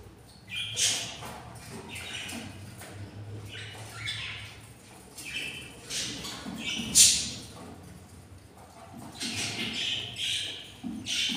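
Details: Breeding pair of albino budgies with hatching chicks; repeated scratchy squawks and chirrups come in clusters every second or two, some sharp and high, over a faint low hum.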